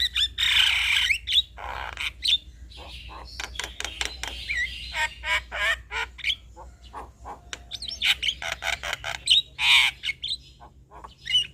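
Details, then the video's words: Male Javan myna (jalak kebo) singing, played as a lure to draw responses from other mynas; a varied, chattering stream of harsh squawks, rattling broadband bursts and short clear whistles, delivered in quick irregular phrases with brief pauses. "Ocehan Jalak Kebo Jantan"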